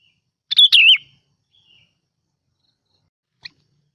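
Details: Lure bulbul gives one short, loud warbled phrase that dips and rises, followed by silence and a faint tick.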